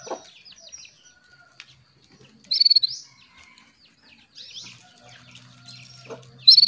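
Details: Female Atlantic canary calling to a male to rouse him into singing, giving two short bursts of fast, high, stuttering pulsed notes about four seconds apart, with faint scattered chirps and a low hum between them.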